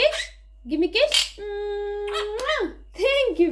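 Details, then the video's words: A pet monk parakeet (Quaker parrot) talks in a quiet room, giving a few word-like phrases with one long held vowel and quick rising-falling inflections. "Quaker Parrot Talking | Quaker Parrot Sounds"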